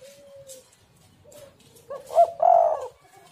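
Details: Spotted dove (tekukur) singing, used as a lure recording to get other doves to call: a few soft low hoots, then a loud two-part coo with a rising, stuttered start and a longer throaty ending, in a quiet room.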